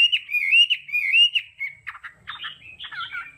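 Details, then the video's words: Hwamei singing in the training, tone-switching style. Its wavering, rich whistled phrase breaks into scratchy chattering and mixed warbled fragments. "Âm thanh luyện giọng họa mi hót đảo âm hay nhất"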